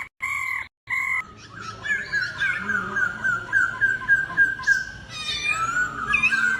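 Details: Laughingthrush in a singing duel delivers a long rapid string of short whistled notes, several per second, after a brief harsh steady tone at the start.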